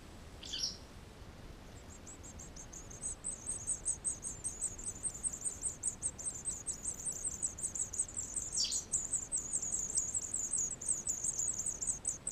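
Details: White wagtail at a nest inside a wall in Sofrino, 13 July 2014, flying in to feed: two sharp, steeply falling calls, one early and one late, with a rapid, continuous very high ticking series running from about three seconds on.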